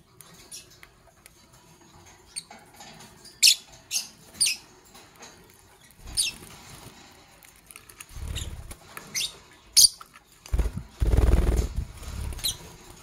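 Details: Morning chirping from Fischer's lovebirds of Parblue Violet and Pastel Green Opaline colour forms: short, sharp, high chirps in loose clusters, often two or three close together, over soft clattering and rustling, with brief thumping noises toward the end.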